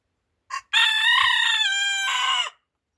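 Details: Rooster crowing in the morning as a wake-up call: a brief sharp opening note, then one loud, hoarse, harmonic-rich crow held almost two seconds, dropping slightly in pitch at the end over complete quiet.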